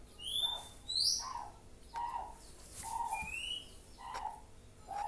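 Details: White-rumped shama, a young bird learning its song: high upward-sliding whistles alternating with lower, softer warbled notes, repeated irregularly about once a second.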